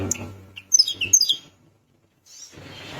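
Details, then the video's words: Sunda minivet in full song, said to spur rival birds into calling: a fast burst of sharp high chirps and short descending whistled notes over about a second, then a pause, with soft rustling and low background hum. "Tledekan gunung gacor bikin lawan emosi langsung bunyi"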